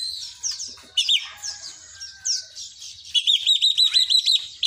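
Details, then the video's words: Oriental magpie-robin singing a song filled with mimicry of the cinereous tit: varied high chirps and slurred notes, then a fast run of about eight evenly repeated sharp notes, with faint low ticking underneath. "kacer isian glatik batu"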